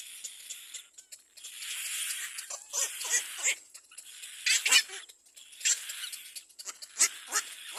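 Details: Loud, rasping cries from a little black cormorant chick at the nest as another bird comes near, hoarse hissing bursts of uneven length, some long, some clipped short.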